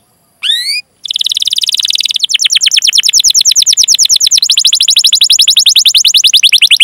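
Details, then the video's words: Canary roll ('ngerol') used as a prompt to make other canaries sing. A single rising-falling note, a brief pause, then a long sustained rapid buzzy trill that runs unbroken to the end, shifting slightly in pitch partway through. "Masteran Suara Burung Kenari Gacor Panjang cuit cuit Ngerol untuk Pancingan Kenari!"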